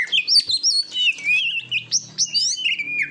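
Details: Oriental magpie-robin (kacer) song from a training recording for competition birds in Indonesia: rich, varied whistled phrases with rapid slurred notes and sweeping trills, loud and continuous over three seconds, with a faint low hum beneath.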